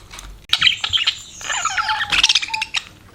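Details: After a quiet half-second, pet budgies break into excited chirping: quick high notes, scratchy warbles and a couple of short clear whistles.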